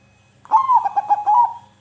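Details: Singing zebra dove, a sound meant to rouse silent birds. A single phrase of rapid, broken coo notes at an even mid pitch, closing on a longer sustained note over a faint low hum.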